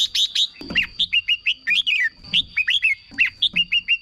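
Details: Red-whiskered bulbul kept in a cage, singing to rouse other caged birds or lure wild ones: rapid chains of short bright chirped notes dipping and rising, about four notes per second, with a faint continuous high tone behind.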